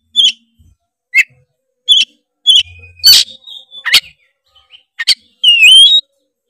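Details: Oriental magpie-robin (kacer) song used as a lure for other magpie-robins: evenly spaced short sharp chips, harsh bursts, then a closing rich whistled phrase with overtones.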